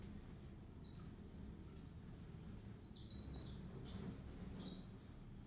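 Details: Yellow-fronted canary (Serinus mozambicus) giving scattered high, sharp chirps and brief trilled phrases, clustered in the middle of the passage, above constant low-pitched background noise.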